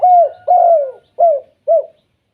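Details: Kept spotted dove giving its "kuk 2" call, used as a lure that sets other spotted doves calling: four short, clear, mid-pitched falling coos, the first two longer, the last two clipped, in a quiet setting.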